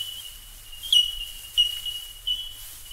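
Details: Bell Miner in Australia giving three sharp, pure, bell-like 'tink' notes about two-thirds of a second apart over a continuous high ringing background of more calls and a soft low hum.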